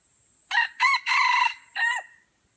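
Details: Crowing duel of red junglefowl at Kuta Malaka, Aceh, Indonesia. One bird gives a strong raspy crow in four segments: two quick syllables, a drawn-out central phrase and a short separate closing note. A continuous shrill insect buzz runs behind it.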